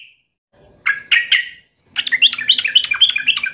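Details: Yellow-vented bulbul mocking a rival with a few loud chirps, then a lively, bubbling run of fast liquid notes.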